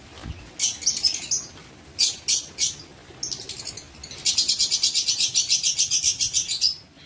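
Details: Lovebirds in an aviary, 19 September 2023: scattered piercing chirps in small clusters, followed by a long, evenly pulsed run of fast, high twittering notes.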